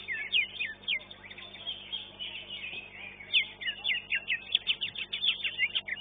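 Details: Caged greater green leafbird singing at a bird-song contest, where it placed second in its class; quick high whistled notes and chirps, sparse at first, then a dense run of sharp slurred phrases in the second half, over faint crowd murmur.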